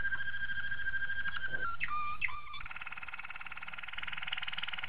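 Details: Malinois Waterslager canary training song, a steady whistled tone that breaks into a few bubbling, sliding notes, then a fast rapid trill that pulses evenly to the end.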